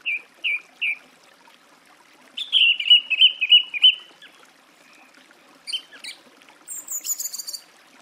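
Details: Song thrush phrase of three quick whistles, then a rich warbling trill, then high squeaky and metallic notes, in a quiet setting.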